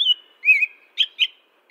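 American Robin singing clear, warbled whistled phrases, rising then caroling in quick notes about a quarter second apart; no other sounds.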